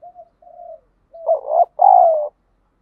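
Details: Decoy spotted dove in daily luring practice, calling to stir rivals to fight: faint low soft coos lead into a loud phrase of a short hoot and a long, gently falling coo.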